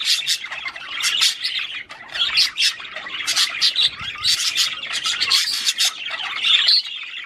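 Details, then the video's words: Chorus of Australian budgerigars warbling to encourage breeding, scratchy chirps and grating squawks tumbling together continuously, with brief louder bursts every second or so. "تغريد عصافير البادجي"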